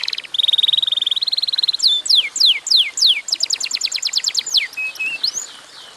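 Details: Lively canary song used as a lure for other canaries: a fast steady trill at first, then loud falling whistles, a quick run of clipped notes, and a few softer rising notes at the end.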